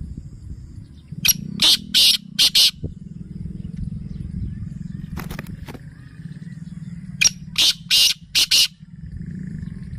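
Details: Black francolin calling: two harsh, buzzy phrases of four rapid, loud notes about six seconds apart, with scattered single notes between, over a steady low rumbling hum.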